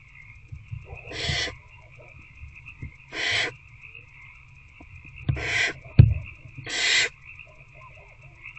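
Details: Barn owl adult feeding an older owlet in a nest box, night of 19 February 2024 around 9 pm; four short rasping hisses at uneven intervals, with thumps and scratching sounds and a constant hum.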